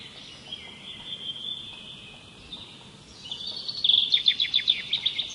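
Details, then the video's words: Birds singing as calming sound: faint drawn-out whistles first, then a loud rapid trill of repeated sharp notes. "Canto de pássaros."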